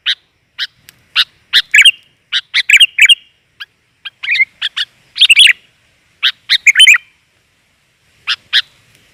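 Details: Sooty-headed bulbul, female, whose calls serve to lure males. Scattered clipped chirps and short burry phrases come at uneven spacing, some grouped into quick chattering runs.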